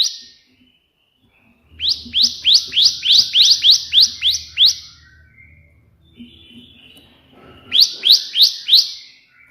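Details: Bar-winged prinia in full 'tembakan' burst song for tutoring other birds: a fast train of about ten bright rising chirps, then a pause and a shorter burst of four. A faint low hum sits underneath.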